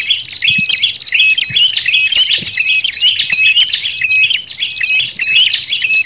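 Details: Trapping lure call of olive-backed tailorbird mixed with red-headed tailorbird voices, meant to attract wild birds: sharp high chirps repeated about eighty times a minute, with brief flat whistles between, overlapping callers throughout.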